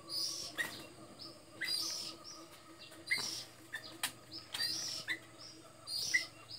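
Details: Sooty-headed bulbul song: short bright chirping phrases with a sharp high note, repeated about every one and a half seconds, over a steady low hum and occasional clicks.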